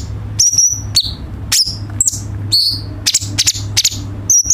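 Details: Song of the cucak cungkok, a bulbul, played as a tutor so home birds learn more varied songs: a busy run of high, clipped chirps and short whistled slurs with a steady low hum beneath.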